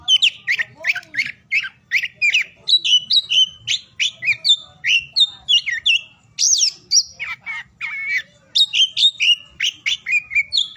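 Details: Continuous oriental magpie-robin song, used to encourage silent or reluctant birds to sing at morning, noon and afternoon: long rapid string of clear whistled notes and slurs, with a brief harsh rasping passage and flat whistles midway.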